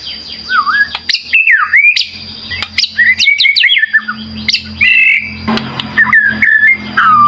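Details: Excited White-rumped shama song, a lure to make birds answer: varied whistled swoops and rough squawky notes separated by short gaps, over a faint low hum.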